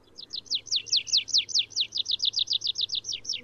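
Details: Wild Atlantic canary song: a fast trill of about twenty bright, sliding notes, each dropping sharply in pitch, repeated steadily at roughly six per second throughout, with a faint low hum beneath.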